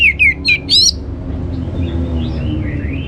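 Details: Orange-headed thrush lure song meant to stir other birds into singing: a quick run of four bright whistled notes, the last rising and buzzy, then faint distant whistles over low background rumble.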